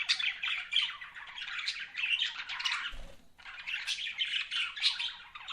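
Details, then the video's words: Budgerigars keeping up a busy, rasping warble of quick chirps and squawks, briefly interrupted by a soft low knock. "BUDGIES CHIRPING SOUND"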